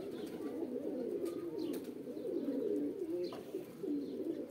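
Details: Several pigeons cooing in a mating call, a dense low murmur of rolling coos that swells and fades, with faint higher chirps and rustles above it.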